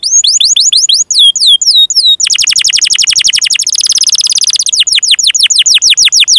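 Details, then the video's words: Canary singing in a long, continuous tutor recording for young and silent canaries: a run of high falling slurred whistles, then a fast dry rattling trill and a dense buzzy roll, ending in quick repeated sweeps. "Kenari GACOR PANJANG INI Cocok untuk Masteran KENARI PAUD dan Kenari Macet BUNYI"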